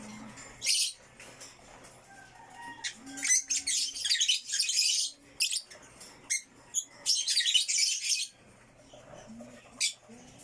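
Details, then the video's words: Backyard violet African lovebirds chirping in bursts: loud clusters of harsh, scratchy chirps and squeaks come in quick irregular runs, separated by quieter spells with a few softer tonal notes. "violet african lovebirds / backyard chirping sound"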